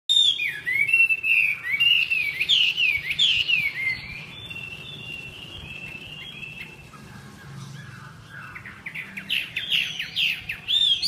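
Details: Chinese hwamei, a three-season bird freshly through its moult, singing: loud varied whistled phrases with rapid slurred notes and trills, a quieter gap midway, then renewed bright bursts.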